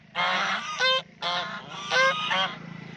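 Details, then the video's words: Duck making fun in a pond, uttering loud, raspy, nasal honking calls in quick succession, with two brighter, ringing notes among them and a faint low hum underneath. "Duck Making Sound"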